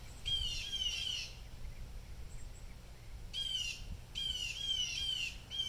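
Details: Harsh scolding squawks from blue jays going crazy over an unseen disturbance, delivered in two clusters of raspy repeated screeches separated by a quiet gap, over low outdoor rumble.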